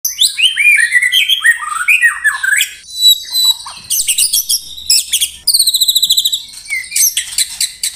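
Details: White-rumped shama song in the rapid 'tembakan rapat' style, used as training material for songbird contests: varied high whistles and slurred notes, then dense bursts of sharp repeated notes and buzzy trills.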